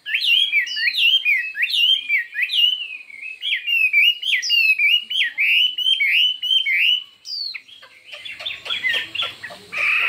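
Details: Competitive song of a Chinese hwamei using many voices: a continuous stream of quick looping whistles and slurs for seven seconds, then a scratchy, noisy stretch with rattling notes near the end.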